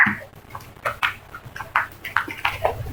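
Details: Several crows of a flock give a quick run of short, rasping, overlapping calls, each note clipped and hoarse.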